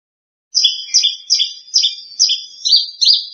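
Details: Australasian bush lark, a second-place contest champion, singing a series of seven bright, high doubled notes roughly every 0.4 seconds, each with a sharp upper tone dropping to a lower one, after half a second of silence.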